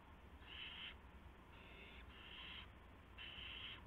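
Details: Owls at a nest around midnight on March 19, 2016, as parents deliver a gopher and mice to owlets. Three harsh, breathy hissing screeches, each about half a second, over a steady low hum.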